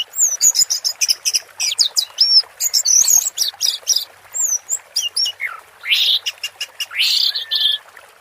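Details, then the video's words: Orange-headed thrush with water therapy, singing a dense 'teler' medley of quick slurred whistles, sharp chirps and a few rasping bursts, almost continuous. "Suara Burung Anis Merah Teler"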